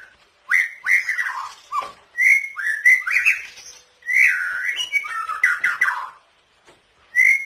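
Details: Cage-bird training song of a white-rumped shama carrying imitated kapas tembak, canary and cililin fills: bursts of rich whistled and warbled phrases separated by short pauses, some with rapid chattering notes.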